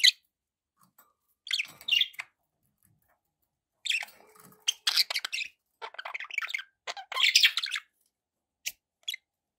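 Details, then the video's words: Several pet budgies chattering in bursts of scratchy chirps and rapid warbling notes, busiest in the second half, separated by brief quiet pauses. "1 hour of budgie sounds with background noise for relaxation"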